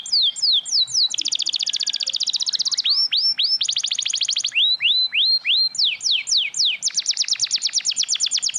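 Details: Spiderhunter song used as a lure to prompt young, spotted and silent spiderhunters to sing, with crecetan chatter and tembakan shot notes: rapid downslurred high whistles alternating with dense buzzy rattling trills, delivered continuously.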